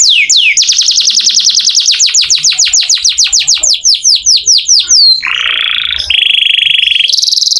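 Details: Lively canary, a master song for teaching magpie-robins, sings a long run of sharply descending whistled notes at about five per second, then switches to steady rattling tours at two different pitches.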